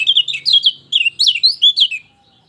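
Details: Lemon-bellied white-eye, a training recording for stimulating silent birds: quick high chirpy warbling in two bursts, sliding notes tumbling over each other, a short gap near one second, then fading to quiet.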